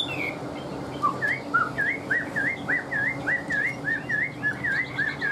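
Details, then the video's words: Chinese hwamei kept in a cage repeating one rising, looped whistle about three times a second, a clear even series over a low background hum. "Họat Họa Mi"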